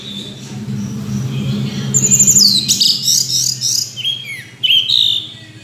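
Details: Orange-headed thrush song over a low steady hum: after a quiet start, bursts of bright high twittering and downward-sliding whistles arrive in the second half.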